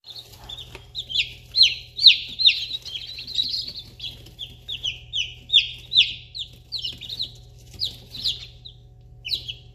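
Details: Fourteen fluffy newly hatched chicks, Polish Crested and Easter Egger mix, in a brooder on an Alaska homestead in spring 2021: a constant chorus of high, shrill downslurred peeps, several per second, over a steady low electrical hum.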